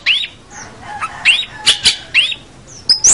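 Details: Long-tailed shrike in full song, used as a training recording for young birds: rising slurred whistles repeated about once a second, mixed with short scratchy notes and a final high squeal.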